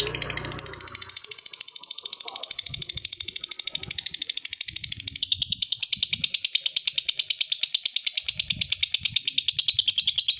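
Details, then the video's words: Lovebird performing a long ngekek trill to call a rival. A continuous rapid stream of high, buzzy chattering notes runs for over ten seconds and grows louder and broader midway. "Suara burung lovebird ngekek panjang | Memanggil lawan"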